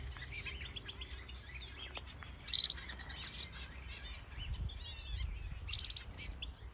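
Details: A busy mix of small birds chirping and twittering in a large planted walk-in aviary in Denmark with finches, canaries, Java sparrows and more, some breeding; sharp high chips and short whistled notes over a steady low rumble.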